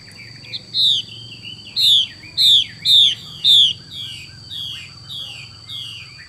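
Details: Female Chinese hwamei calling in xùy style: a series of loud, sharp, descending whistles in quick succession, then several quieter echoing slurs trailing off, with a steady faint hum behind.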